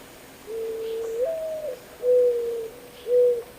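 A Mourning Dove's soft, low, hollow cooing: a long first coo that slides upward and falls, then two or three steady, even coos about a second apart.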